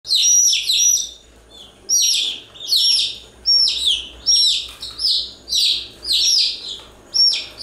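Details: Chicks chirping continuously: bursts of shrill, downward-sliding peeps overlap in quick runs, separated by short pauses roughly every second.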